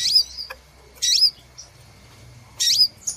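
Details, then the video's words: Three separate shrill, squeaky chirps about one and a half seconds apart, each a quick rising-falling note, from a crimson sunbird lure call used in trapping. "Suara Pikat Burung sepah Raja"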